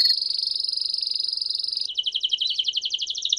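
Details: Canary singing campainha style: a steady thin high trill held for almost two seconds, then a lower, coarser rapid rolling trill.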